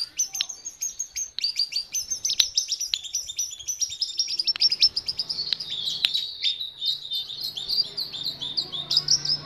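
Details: Jungle babbler, known as jongkangan, delivering an intense stream of shrill chirps and ticks, evenly packed and rapid, with occasional whistled notes over a faint low hum.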